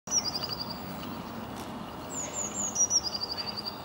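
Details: A European robin singing in winter in London, UK, gives two high, thin phrases, each a sliding whistle breaking into a quick, fluttering trill, over a low hum of distant traffic.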